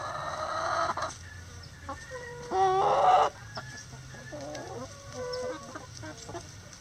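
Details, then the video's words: Chickens kept in a coop on a sunny day: a harsh drawn-out squawk opens, then a loud strained rooster crow, followed by rising and falling clucks and soft murmurs from several birds. "Relaxing Chicken Coop Sounds On A Sunny Day"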